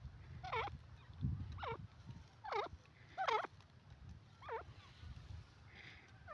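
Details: Grey francolin (teetar) utters a run of five or six grating, down-and-up notes at a slow, steady pace, roughly one per second. Low-pitched background rumble is constant.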